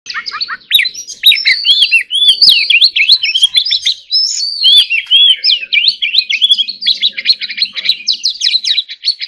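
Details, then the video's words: White-rumped shama, described as a singing competition bird, pouring out a loud continuous song of rapid whistles, slurred upsweeps and sharp chips, varied phrases packed closely together with almost no pauses. "choè than hót líu || Kacer Gacor"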